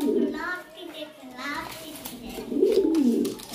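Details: Pigeon cooing in low, throaty rolling notes, one near the start and a longer bubbling coo near the end, with speech-like voices heard between them.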